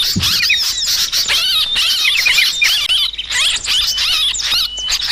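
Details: Sooty-headed bulbul calls used as a bird lure: a dense, noisy flock chatter of high, rapid twittering and squeaky swept notes, overlapping continuously with no pauses.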